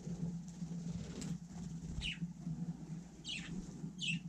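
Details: Budgerigar out on snow in freezing weather, with a few brief falling chirps late in the clip against a constant low droning hum.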